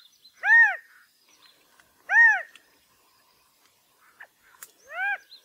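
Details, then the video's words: California quail giving loud, nasal, arched single notes that rise and fall, three spaced about two seconds apart, with faint ticks between. "California Quail Bird Sound/Call/Song/Noise/Mating calls"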